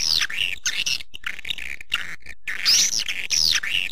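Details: Lure sound for attracting swiftlets: loud high twittering with arched, whistled down-slurred notes, broken by short gaps, the busiest chirps at the start and end.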